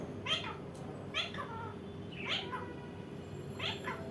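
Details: Indian ringneck parakeet repeating short, downward-slurred nasal calls about once a second, fairly quiet against a low indoor hum.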